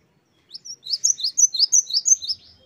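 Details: Great tit in lively 'wucit-wucit' song for bird training: a quick series of about ten high, clear two-part notes, each rising then dropping, delivered evenly after a quiet start.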